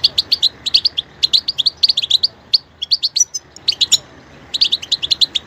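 A European goldfinch sings a fast, bright twitter of high tinkling chirps in quick bursts with brief pauses; nothing else is heard.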